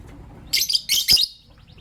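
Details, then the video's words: A green personata lovebird and a pastel white lovebird, kept as pets, in the morning: three loud, grating chirps in quick succession, each broad and buzzy, then quiet. "Relaxing Lovebird Chirping Sounds from Green Personata & Pastel White"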